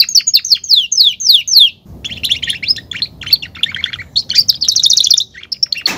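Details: Domestic canary singing: a series of fast descending whistled sweeps, then varied chirps and warbles over a low rumbling background, and a rapid buzzy trill near the end.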